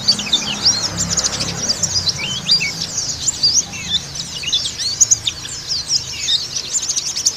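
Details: White-eye singing in the Bali dakun (dakbal) manner, used to lure and stimulate other pleci. A continuous, moderately loud stream of high, scratchy, rapid twitters with frequent sharp slurred notes.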